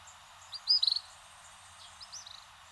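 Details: Orange bishop, an introduced species from Africa: a quick burst of high, thin chirps just before one second, then a fainter run of short rising notes near two seconds, over a quiet hissy background.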